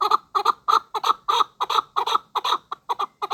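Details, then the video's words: Chukar partridge, a hunting bird, utters a rapid chain of throaty paired clucks, roughly two to three per second, loud and regular, with the last notes becoming shorter. "Кабки шикори"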